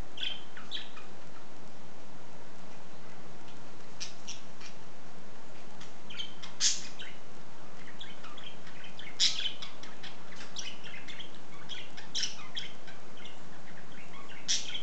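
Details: A budgerigar left alone in its cage "talks": short, scratchy chirps and clicks scattered irregularly over a low indoor hum, with cooking going on nearby.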